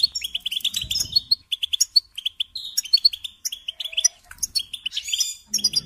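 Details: European goldfinch, a trained cage songbird, delivering rapid high twitters and short buzzy trills in bursts, with brief gaps and a soft low noise near the end.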